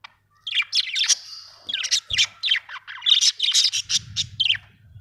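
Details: Pet budgies warble almost nonstop for five seconds, a rapid run of high squeaky chirps and twittered notes, with a low rumbling knock in the last second.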